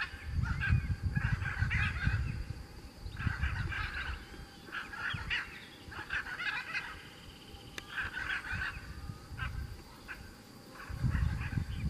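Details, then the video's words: Chaco chachalacas (Ortalis canicollis) in the Pantanal give harsh, rhythmic cackling phrases in loud, raucous bursts about every second, over a steady low rumble of background noise. "Aracuã-do-pantanal(Ortalis canicollis)"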